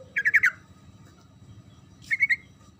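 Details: Sooty-headed bulbul in 'gacor ngerol' singing, used to make silent birds reply: a rapid run of four bubbly, slightly descending notes, a pause, then three more clipped notes, with a steady low hum underneath.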